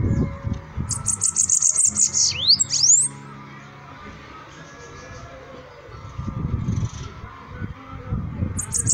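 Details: High, rapid ticking notes from a singing bananaquit run into a pair of sharp swooping whistles. Low background rumble continues, and a new song begins just at the end.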